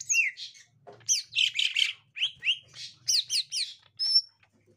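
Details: A gotri-type green leafbird reacting to a young wild green leafbird with loud harsh chirps and squeaky slurred notes in spaced groups, ending on a thin high whistle.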